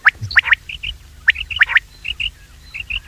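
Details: Common quail call used for hunting lures: sharp, clipped whistled notes given in quick groups of two or three, with short softer chirps between groups and nasal croaking sounds in the background.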